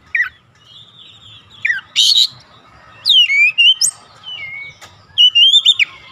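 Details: Oriental magpie-robin singing to provoke other magpie-robins, spaced phrases of clear whistles, one harsh scratchy burst and bright sliding notes, with low background noise between.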